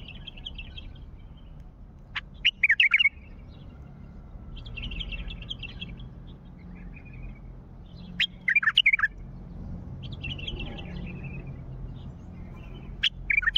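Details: Wild bulbul of the Mandali type calling: short bursts of clear, quickly modulated whistled notes in brief phrases spaced a few seconds apart, with faint chattering between them over a low background rumble.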